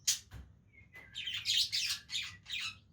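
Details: Budgies playing together: a sharp chirp, then a thin whistled note leading into a dense string of raspy, buzzy chatter notes in quick succession.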